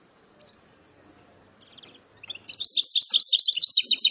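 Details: A goldfinch-canary mule starts with a few soft, scattered chirps, then breaks into a dense, fast, continuous twittering warble of high bright notes that grows louder toward the end.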